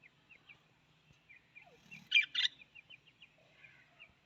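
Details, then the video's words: Australian parrot giving two loud, rasping squawks in quick succession mid-way, surrounded by soft, evenly spaced little chirps and a faint low hum. "Australian parrot voice"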